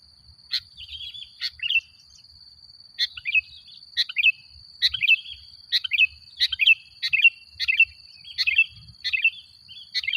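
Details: Lure song of an actively singing sooty-headed bulbul, meant to make other bulbuls agitated: short chattering, bubbly phrases repeated roughly every half second to second, steady and insistent, with a continuous thin high tone behind.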